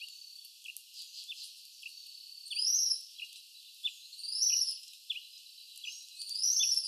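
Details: Tropical kingbird (Tyrannus melancholicus) recorded at CECFLORA in São Paulo, Brazil, giving song: high, thin twittering phrases about every two seconds, with short sharp ticks scattered between them.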